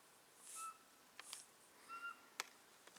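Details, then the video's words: Eurasian pygmy owl in Solska Forest on 6 January 2015, giving clear, pure whistled notes, one near the start and another about a second and a half later, over a quiet background with a few soft rustles and a sharp click. "Sóweczka / Glaucidium passerinum/ Pygmy Owl"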